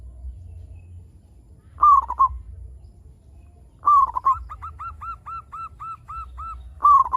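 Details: Zebra dove, local type, singing to coax others into calling: three clipped rolling coo phrases, the middle one trailing into a rhythmic chain of soft arched notes; faint hum throughout.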